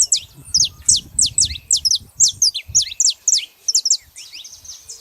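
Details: Wild saffron finches gathered in nature: loud, steady string of high, clipped chirps several times a second, overlapping calls from nearby birds, and faint low rumbling beneath.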